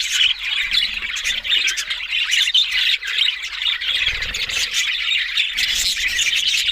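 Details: Budgerigars in a group give nonstop raspy warbling and squawks, with brief dips in loudness and faint low background noise.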